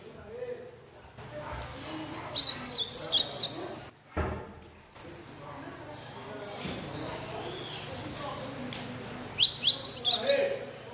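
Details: Young captive-bred chestnut-bellied seedeater chick singing in the style of a blue-black grosbeak: two bursts of quick, high, chirpy twittering notes, one early and one near the end, separated by a quiet stretch with low background hum and faint clatter.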